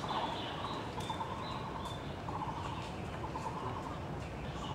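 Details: Background call of a Taiwan barbet in a botanical garden: low, hollow, rapidly trilled bursts repeated at short intervals, over a higher thin whistle near the start and steady outdoor noise.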